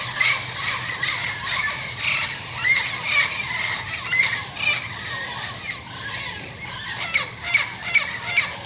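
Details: Turquoise-fronted amazons in a garden, a yearly visiting group whose leading pair arrives first and calls to the rest; loud, harsh, rasping squawks repeated rapidly, several birds calling over one another throughout.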